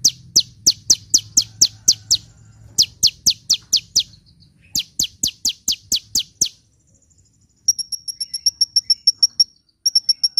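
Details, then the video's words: Sunbird song for luring birds and waking up reluctant singers: long series of rapid, falling high chip notes, about five a second, then a thin, fast ticking trill of even high notes. "SUARA BURUNG KOLIBRI GACOR‼️ [bisa buat pikat & yg males bunyi"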